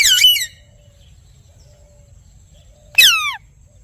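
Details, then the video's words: Parrot giving two loud harsh calls, each a rich descending screech about half a second long, separated by near silence of two and a half seconds, with a faint low hum. "Parrot Chirping Sounds / Voices"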